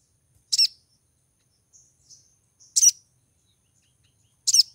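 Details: In breeding condition and calling to attract a mate, a female Brown-throated Sunbird gives three strong, very high chirps about two seconds apart, with soft short whistles in between.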